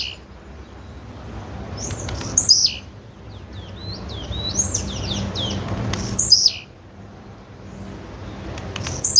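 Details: Female blue-black grassquit repeating a high, steeply falling buzzy call about every two to four seconds, while another bird adds a run of quick thin whistled notes between calls; low hum behind.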